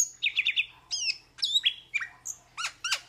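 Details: Quick trilled chirps from a metallic starling, followed by bright downward-slurred whistles and short buzzy notes, delivered in a fast, excited sequence.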